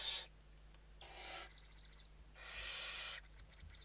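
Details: Western barn owls at a nest interior in Spain, evening feeding, 29 November 2023: a brief hiss, then two longer rasping hisses, the later ones trailing off into faint clicking fragments.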